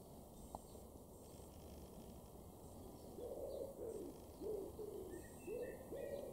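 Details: A common wood pigeon in a garden in Weener, East Frisia, northwest Germany, June 2022, gives soft, low, hollow coos in a rising-falling phrase, with faint thin bird calls above and a steady hiss.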